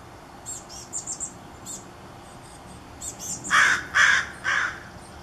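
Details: Chestnut-backed chickadee nestlings begging in the morning from their gourd nest, before fledging in the early afternoon, give three harsh, raspy bursts about half a second apart, after a few faint, very high chips.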